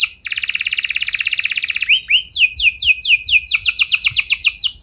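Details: Canary song used as a lure to prompt other canaries to sing long rolls: a fast, buzzy, even trill lasting nearly two seconds, then a rising slur and a run of quick, high, descending whistled sweeps.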